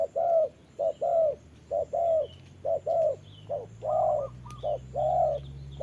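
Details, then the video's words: Spotted dove decoy bird used in trapping, calling while fighting a wild dove in the rain; repeated mellow coos in short and longer pairs, roughly one per second, with faint higher notes between and a low steady hum beneath. "Bẫy chim cu gáy mồi đấu cùng bổi trời mưa"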